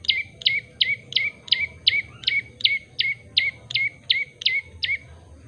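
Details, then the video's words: Steady series of about thirteen sharp, bright chirps from a common tailorbird (prenjak lumut), evenly spaced roughly every 0.4 seconds, each note dropping quickly in pitch, over faint background hum. "burung prenjak lumut gacor variasi . commond tailord bird singging"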